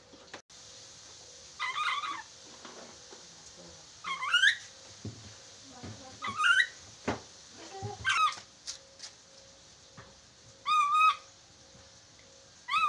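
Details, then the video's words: Chattering lory calls from a training recording meant to make birds talk quickly: short whistled notes with wavering overtones, given in scattered bursts, mixed with clicks and faint room sounds and a steady low hum. "MASTERAN NURI DORA agar cepat bicara"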